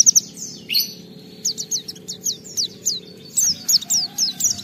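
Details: Oriental white-eye lure song with filler material: a few high chips, a short pause, then a measured series of sharp descending whistled notes, rising to a louder closing run.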